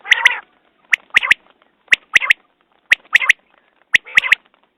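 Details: Quail (batair) calls linked to quail hunting: a rasping burst then two sharp ticking notes, the triple phrase repeated steadily about once per second in a quiet background.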